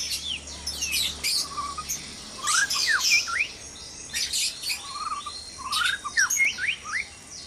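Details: Breeding-cage white-rumped shama at dawn, short clusters of whistled slurs, some dipping low and some sharply rising, separated by brief pauses, with high chattering chirps from other birds and a faint low hum.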